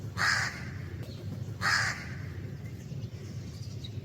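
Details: Natural-environment recording of a black crow: two coarse, hoarse caws about one and a half seconds apart, followed by quiet, with low steady background rumble throughout.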